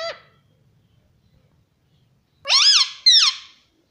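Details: Talking pet parrot said to call "mummy papa": a short note at the start, a pause, then two loud, rich, downward-bending squawky syllables close together.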